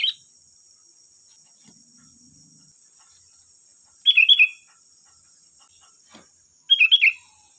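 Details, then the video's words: Singing sooty-headed bulbul, played as a lure to make other birds respond: quick clusters of three or four rippling notes spaced several seconds apart, a faint click, and a continuous thin high hum. "Suara burung Kutilang Gacor || Suara pancingan Kutilang bahan"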